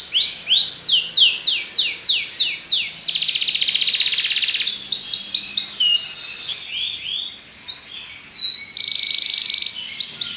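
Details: Belgian canary singing a run of loud swooping notes, then a sustained dense rattle, followed by mixed quick phrases and another buzzy trill.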